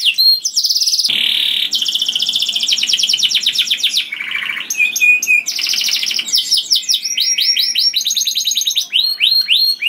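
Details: Canary singing loudly and sweetly to lure other canaries, a varied stream of buzzy trills, a low rattle, sharp whistles and fast repeated rising notes, one phrase after another without break.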